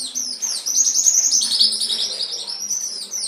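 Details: Continuous canary song from a master recording for training pet canaries, a dense, bright warbling trill held high and steady throughout with rapid rolling notes.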